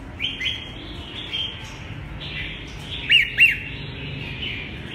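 Red-whiskered bulbul giving loud, bubbly two-note phrases around three seconds in, with softer warbled notes before, over steady low background hum.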